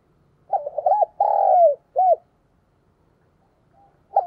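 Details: Spotted dove, a caged decoy bird cooing to lure and provoke wild doves: one low hollow phrase of a quick stuttered double coo, a long drawn note falling at its end, then a short closing coo, with the next phrase beginning; quiet background.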